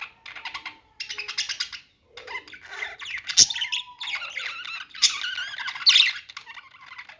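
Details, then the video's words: Budgerigars chattering in bursts of buzzy, scratchy warbles with short gaps, plus a steady low whistle-like tone and a sharp click near the middle. "budgies singing | budgie sounds | parakeet chirping sounds"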